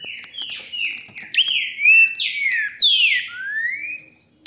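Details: Captive-bred green-winged saltator, recorded on a hand-held phone, sings a rich phrase of clear whistled notes, sliding and slurred, rising then falling, in a quick run of about seven notes.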